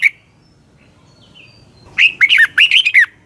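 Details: A red-whiskered bulbul gives morning training song to excite other birds. A brief opening note, a quiet gap, then one jaunty phrase of quick dipping whistles lasting about a second.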